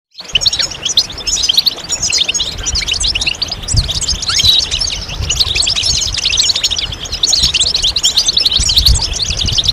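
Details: European goldfinch song: dense, continuous high twittering of quick chirps and short buzzy notes, overlapping throughout with barely a pause, with faint low rumbling underneath.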